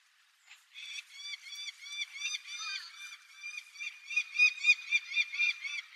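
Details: A breeding female Peregrine Falcon on seaside rocks of Tobishima island, Sakata, Yamagata, Japan, apparently begs the male for food: a harsh, wailing call, a fast series of scratchy rising-falling notes about four per second, growing louder toward the end.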